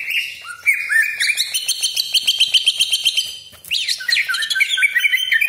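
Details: Caged greater green leafbird singing its long rolling cucak ijo song meant to rile other birds: fast repeated sharp chips and trills, nearly four notes a second, mixed with downslurred whistles and a dense chattering stretch.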